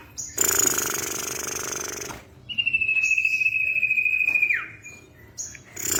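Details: Female common iora calling to a male, played as a lure: a harsh, broad hissing rasp for almost two seconds, then a long level whistle dropping abruptly at its close.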